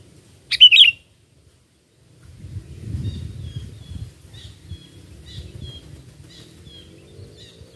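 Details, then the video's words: Sooty-headed bulbul singing one quick liquid whistled phrase, used as a lure for catching birds, followed by low rumble and faint distant chirps. "Pikat Burung Kutilang ISTIMEWA"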